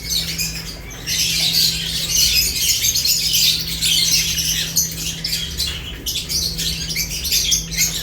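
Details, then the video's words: Lovebirds chirping while eating: a dense, shrill chatter of overlapping high squeaks runs throughout, with a steady low electrical hum beneath. "Lovebirds unique colors eating and chirps sounds"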